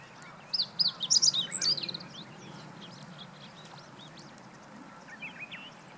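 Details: Meadow bunting song from 20 March 2015: one brisk phrase of piercing chirped notes delivered fast over about a second and a half, followed by faint distant bird chirps and a soft background hum.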